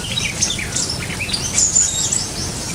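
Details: Sumatran leafbird in an aviary, giving scattered high, thin chirps and short sweeping whistles over a steady background hiss.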